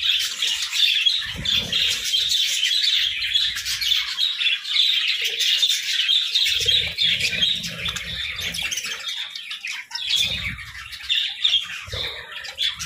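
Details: Parakeets in the morning keep up a busy, rapid stream of chirps, about three notes a second, bright and squeaky, layered over one another with occasional low rustles.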